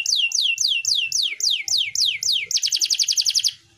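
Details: Canary song used to rouse canaries that have stopped singing: a run of loud, down-swept whistled notes about three per second, then a fast high trill that fades out, with faint low ticking behind.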